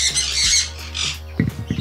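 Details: Philippine Blue-naped Parrot in an aviary in Aringay, La Union, Philippines, giving a harsh, grating squawk then a shorter raspy second note, over a steady low hum with faint thumps near the end.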